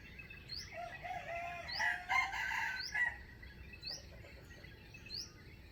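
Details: Crowing of a wild chicken used for trapping, known for a standard crowing voice: a moderately distant, rough, multi-part crow in mid-clip, with regular short rising chirps from another bird throughout and steady background hiss.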